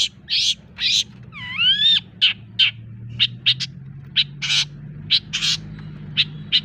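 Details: Long-tailed shrike song used to excite other birds: harsh buzzy bursts, a rising, harmonic whistled slur, then scattered sharp chips, with a low hum behind.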